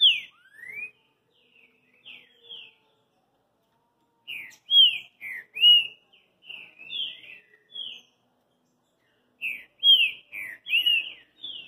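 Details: Boi da fita song of a green-winged saltator: clear, slurred whistles in three bursts of several quick notes each, with quiet stretches holding faint soft calls between the loud phrases.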